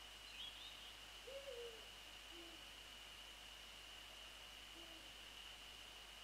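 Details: Eurasian eagle-owl pair, male and female, calling at dawn on 28 February 2014, 6:27–6:29; one faint drooping hoot followed by two short, lower notes, with a brief high bird chirp at the start and a constant high-pitched tone.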